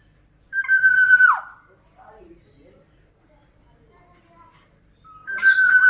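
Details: Black-naped oriole song, kept bird: a loud, clear whistled note held level, then sliding down, a short gap, and a second whistle near the end with some buzzy overtones.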